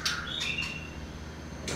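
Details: A young, long-tailed white-rumped shama gives a brief burst of clear, high whistled notes, one sliding and sustained, then falls quiet; a short clatter of handling noise follows.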